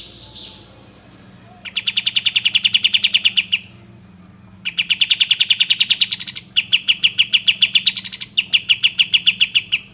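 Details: Kapas tembak bulbul serving as a lure for birds to sing and fan their tails: three long bursts of quick, evenly spaced sharp chirps, with short pauses and upward flourishes between them.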